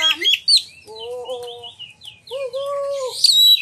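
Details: An Oriental magpie-robin sings to prompt rival magpie-robins to sing and display. Scattered high chirps and slurred notes alternate with long, steady, lower whistled tones, ending in a sharp, bright burst.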